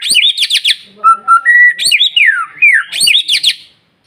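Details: Insistent white-rumped shama lure song meant to stimulate other shamas: fast high chattering notes, then steady flat whistles, a long descending slur and a rising glide, closing with another quick high burst.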